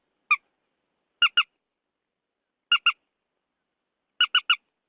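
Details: Purple swamphen squawks from a night-netting lure recording: one, two, two and three harsh nasal notes in separate bursts roughly one and a half seconds apart, with a clean, silent background.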